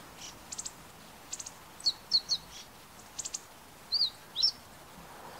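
Meadow Bunting giving short, high, sharp chips, mostly in quick twos and threes, with a few brief slurred notes, over a quiet background.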